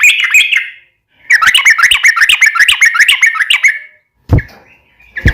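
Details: Yellow-vented bulbul in a gacor (lively) song for daily masteran training of cage birds: two bursts of rapid, bubbly chattering notes lasting about one and two and a half seconds, followed by two sharp knocking clicks.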